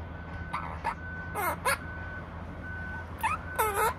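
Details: An Opaline monk parakeet kept as a pet utters grating, buzzy squawks and quick chattering notes in bursts. A thin steady beep sounds repeatedly underneath, with a low background hum.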